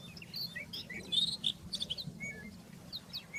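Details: Rufous-tailed scrub robin singing in the wild, with rapid high chirps and short whistled phrases clustered together, then a few thinner downslurred notes, over faint low background noise.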